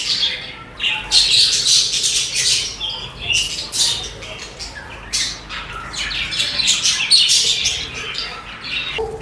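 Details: Budgies chirp rapidly in harsh, high, clicky notes, several callers overlapping in a continuous twittering stream with short squawks.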